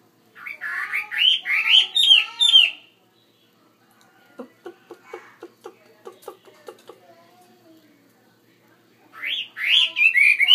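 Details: A caged Chinese hwamei, kept in a bigger cage, sings loud, rich, rapidly varied whistled phrases, breaks into a run of low, short staccato notes, then returns to bright, ringing song.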